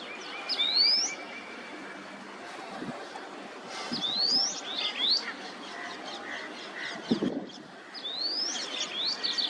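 White-browed wagtail giving bright, rising whistled notes in short bursts every few seconds, over a soft hiss of background noise.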